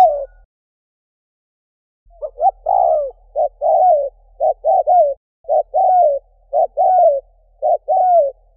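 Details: Spotted dove decoy call, played to lure wild doves in Vietnam: after a short opening note, clean cooing phrases repeat roughly once a second. Each phrase has two quick rising notes followed by a longer falling coo, on a silent background.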